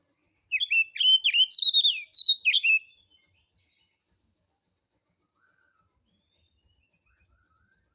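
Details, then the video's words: White-rumped shama song played as a lure to make other birds sing, rough harsh material: a rapid run of sharp chirps and whistles for about two and a half seconds, then silence. "Pancingan Suara Kacer Santai; NGEPONG NGEPLAY SENDIRI MATERI KASARAN"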